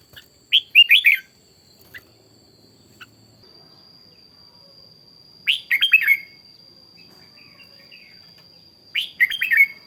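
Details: A Red-whiskered bulbul decoy bird, trained for morning singing and in high-spirited condition, repeats a clear chirpy phrase of about five fast descending-and-rising whistles three times, spaced roughly four seconds apart, against a thin constant high tone.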